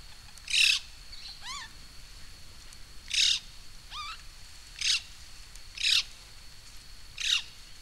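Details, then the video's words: A black-throated magpie-jay at Rancho Primavera, El Tuito, Jalisco, Mexico, gives harsh raspy bursts at uneven intervals mixed with a couple of clear downslurred notes; a steady high insect-like hum runs throughout. "Black-throated Magpie-Jay"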